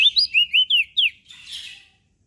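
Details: Mountain leaf warbler in full song: six clear, high, slurred whistles in quick succession, each bending up or down, followed by a brief hissing rustle.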